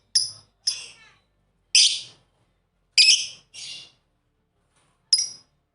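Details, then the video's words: Pet lovebirds, a pair playing together, give six sharp, harsh chirps, high and noisy, spaced irregularly over about five seconds with short silences between. "Lovebird Singing & Chirping Sound"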